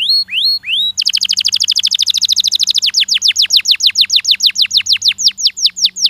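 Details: Canary giving a stimulating song: a few rising whistled slurs open, then a fast, even trill of sharp high notes, followed by longer downward-sweeping notes repeated about three per second; a low steady hum underneath.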